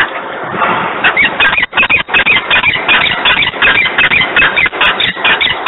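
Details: A peregrine falcon screams loudly at 10:36 on 3 December 2020 in Włocławek. A fast, insistent chatter of harsh notes runs about three per second, almost without a break.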